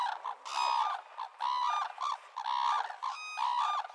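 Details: Red-crowned crane (Grus japonensis) utters loud, bugling double-noted honks, repeated roughly once a second in a steady rhythm with short gaps between bursts.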